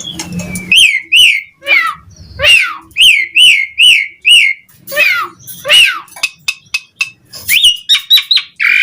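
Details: Asian pied starling singing energetically as a lure for other starlings to sing; repeated loud rising-falling whistles, some slurred downward, ending in quick chirps and a short harsh note.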